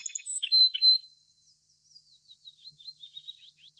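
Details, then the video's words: Little Bunting, Emberiza pusilla: a few sharp high chips and short notes up front, then a thin, faint run of quick wavering high notes trailing off. "小鵐/Little Bunting"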